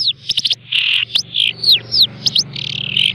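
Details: Caged long-tailed shrike kept as a pet, hand-raised, trained with mp3 song recordings and fed insects morning and evening; loud varied phrases of harsh buzzy notes, sharp descending whistles and scratchy rattles in quick succession.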